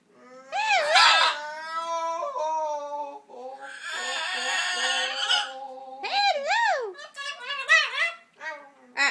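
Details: A macaw mimicking speech in a fuzzy, indistinct way. Warbling, harmonic syllables rise and fall in pitch, with a longer hoarse, buzzy stretch in the middle before more looping, bent notes near the end.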